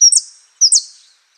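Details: Saffron finch, golpe y pitada song style: two loud, high, whistled notes that sweep sharply downward, half a second apart, each trailing off softly.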